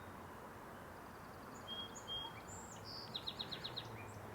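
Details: Song Sparrow singing, faint, at a marsh in British Columbia, Canada, on the morning of May 1: a couple of clear whistled opening notes, then a quick run of about six bright, evenly spaced notes, over steady outdoor hiss.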